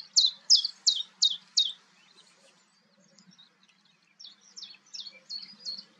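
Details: Common chiffchaff calling at Goldcliff, Newport Wetlands, on 11 April 2022: a run of five sharp, high, downward-slurred notes about three per second, a short pause, then a fainter second run of similar notes.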